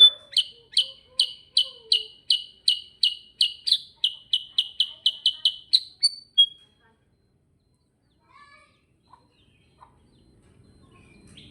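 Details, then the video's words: Sooty-headed bulbul rattling off a long, even series of bright chirped notes, about three per second for six seconds, ending in a short whistle, then near silence. "Suara GACOR NGEROL KUTILANG SUTRA"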